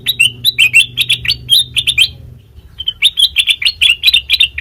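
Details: Sooty-headed bulbul whose song serves as a lure for training songbirds: quick bright chirps in tight bursts, a short pause near mid-clip, then another rapid chattering run, with a soft low hum beneath.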